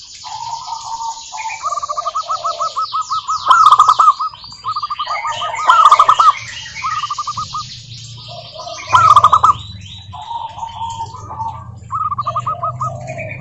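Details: Local zebra doves singing, used to provoke other doves into song: rapid runs of hooked cooing notes at a steady mid pitch, in overlapping phrases from several birds, with high sweeping chirps of other birds above.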